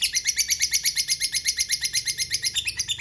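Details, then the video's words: Long ngekek of a lovebird, played to coax other lovebirds into replying: rapid, scratchy, repeated chatter notes pulse steadily from start to finish with no pause. "Ngetik Ngekek Pancingan Lovebird Cepat Bikin Nyaut Suara Burung Lovebird Ngetik Ngekek Panjang"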